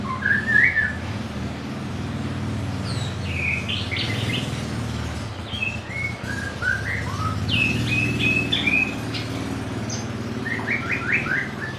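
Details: White-rumped shama singing a varied run of short chirps and slurred whistles, some rising and some falling, in scattered bursts over a steady low hum.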